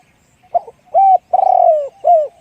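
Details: Deep-voiced spotted dove in the 'one-kook' song style. A brief opening note leads into a level coo, then a long pulsing coo that slides downward. A short falling coo ends the phrase, heard clean and close.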